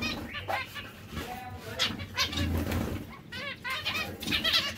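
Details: Nasal, harmonic chirps of zebra finches kept as breeding pairs, some arching up and down, repeated in uneven clusters above a low mechanical hum.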